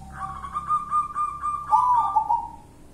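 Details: Local zebra dove singing in the style known as kuntilanak: a drawn-out, wavering coo with a quick trilled flourish near the end, over a steady low background hum.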